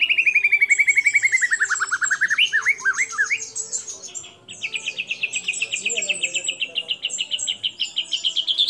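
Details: White-rumped shama singing actively, a lure for stirring other shamas: a long descending whistle into looping slurred notes, a short pause, then a fast, steady, high trill that gradually climbs.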